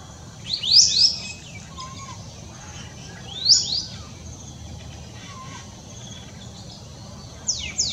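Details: A grey parrot on 23 December 2020 gives a few shrill, high, sweeping whistles in quick bursts, spaced several seconds apart, over a soft steady background hiss.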